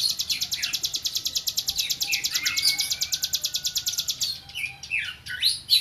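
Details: Hill prinia, a tame bird in full vigorous song, gives a rapid, unbroken run of high, sharp pulses, about three per second. Faint lower whistles sound beneath, and the run breaks into scattered chirps near the end.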